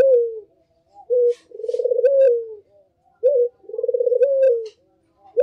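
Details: Puter dove, known in English as the Barbary dove, giving its lure call: two cycles of a brief high note followed by a long pulsing, low-pitched coo that falls away at the end.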